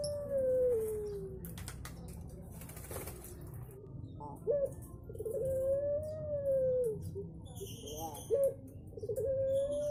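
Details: Barbary dove, a sweet-voiced turtle dove, giving long drawn-out coos: a level tone gently falling, then short hiccup-like notes leading into another long smooth coo, over steady low background rumble and scattered noises.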